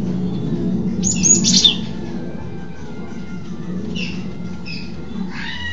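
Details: A cinereous tit, recorded from below, gives a burst of high, scratchy twittering, then a few sharper chirps and a brief warbled phrase, over a steady low hum.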